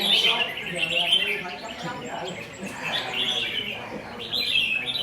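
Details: Newly wild-caught red-whiskered bulbul still in forest plumage, kept by a bird keeper, gives bright warbled chirping phrases in bursts with short pauses between them. Human voices murmur quietly in the background.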